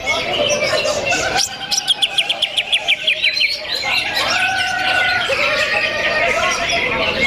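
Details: Greater green leafbird in a crowded contest simulation: a run of quick descending chirps, then varied warbling with longer flat whistled notes, several birds singing over one another.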